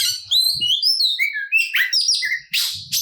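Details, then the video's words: Oriental magpie-robin (kacer) singing a provoking fighting song: clear descending whistled notes in quick sequence, a harsh burst near the end, and low thumping background noise. "Kacer Gacor Full Isian Tarung Ngotot Bikin Emosi Kacer Lain dan Terpancing Bunyi || Voice of Kacer"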